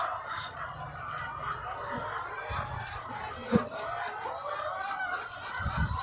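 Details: Thousands of egg-laying hens on a farm in a dense, continuous chorus of overlapping clucks and drawn-out, nasal calls. The wash of sound is steady, with a sharp knock near the middle and low thuds toward the end.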